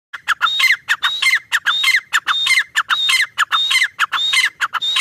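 A grey francolin calls in loud, harsh, squawking phrases, repeated in a fast, steady rhythm of about one and a half per second.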